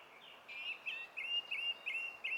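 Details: Song thrush, 20 April 2016. Brisk run of about eight short, clear whistled notes at the same pitch, given in quick succession with brief gaps, over soft background noise.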